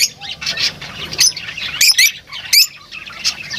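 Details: Lovebird chatter of thin high chirps and a few strident squawks, uneven in rhythm, with the flock's twittering underneath.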